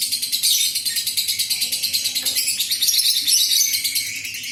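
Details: Adult fighter lovebird in a long ngekek, used to make other lovebirds sing. The high, scratchy, rapidly pulsed chatter is continuous, with a faint low tone briefly beneath it midway.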